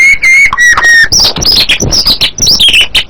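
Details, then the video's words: White-rumped shama song opening with two long, level whistles, then a fast jumble of high chirps and twittering slurs. "suara burung MURAI BATU"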